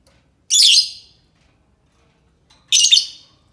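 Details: Two loud, grating lovebird screeches about two seconds apart, each a dense high burst lasting around half a second, used to entice other lovebirds to respond.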